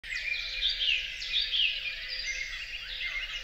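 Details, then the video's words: Song thrush in a large European forest sings a dense run of bright, high whistled and chattering notes without pause, over a faint steady low hum. "La grive musicienne 2 (Song thrush 2)"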